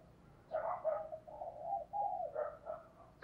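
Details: Decoy spotted dove driven to coo rapidly as a lure: a run of low, mellow coos blending into a drawn-out phrase, then two more short coos, and a click at the end.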